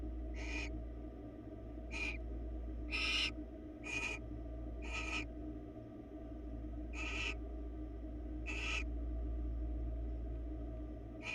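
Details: On a live Florida webcam, barn owls make eight short, noisy hissing screeches at uneven intervals, some louder than others, above a continuous low drone.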